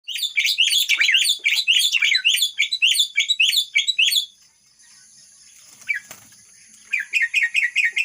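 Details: Myna singing in imitation of the red-whiskered bulbul: dense run of rapid, warbling, rising-falling whistled notes for four seconds, a pause with faint background hiss, then another series of repeated short chirps.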